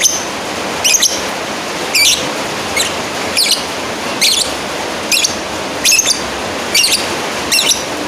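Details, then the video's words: Lovebird calling a rival: shrill, high squeaky chirps with a fluttering, warbled edge, given about once a second in a steady series over a constant hiss. "Suara Asli burung lovebird Manggil lawan"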